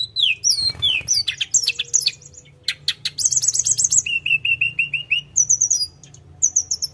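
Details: Rolling, continuous Sunda robin song: sweeping high whistles and sharp chips, a run of six evenly spaced whistled notes, then bursts of very high twittering.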